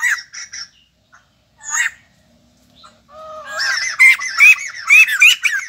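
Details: Kept as a cage bird and newly arrived, a white-crested laughingthrush gives a few scattered squawks, a pause, then a rising loud chattering series of whistled notes.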